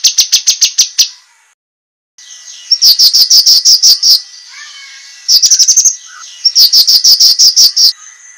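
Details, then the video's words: Cucak kinoi delivering a sharp master song for competition birds, with strings of high clipped notes in several bursts, a silent break, and a few faint lower whistles between phrases. "suara masteran cucak kinoi, masteran tajam untuk burung lomba"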